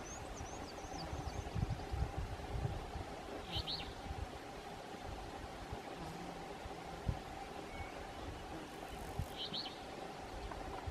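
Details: In Oxford County, Maine, at Umbagog National Wildlife Refuge on 18 June 2016, an alder flycatcher calls with its two-note call: two short, quick high doublets about six seconds apart amid droning background noise and thin distant chirps.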